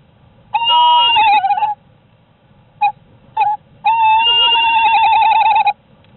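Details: Female tawny owl Luna, incubating eggs at night in sub-zero cold, gives long, wavering, quavering hoots with two brief notes between, sounding desperate as she calls for her absent mate Bomber over a quiet low background.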